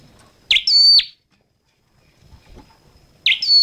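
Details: High, clipped chirp from a red-headed flowerpecker: a fast upward sweep, a brief steady ringing tone and a sharp downward flick. A second chirp begins after a pause of over two seconds.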